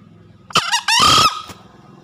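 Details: A green junglefowl gives a single hoarse, two-part crow: a short harsh note, then a longer rasping one. A soft click follows over faint background hum. It serves as a master/lure call for newly caught or reluctant green junglefowl.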